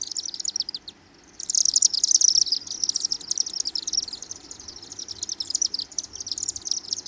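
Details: Chimney Swifts flying over downtown Osakis, Minnesota, on June 12: dense, rapid, high-pitched chattering twitters run almost without a break after a short pause near the start, over a faint low background hum.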